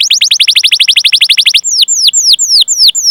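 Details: Canary training song for other canaries: a quick run of rising chirps about ten per second, then slower drooping whistled sweeps roughly three per second.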